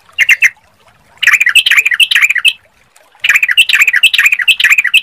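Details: Sooty-headed bulbul singing as a lure to provoke answering song: a brief chirp, then two bouts of rich, warbling, rapidly repeated notes, each lasting about two seconds, with short silent gaps between them.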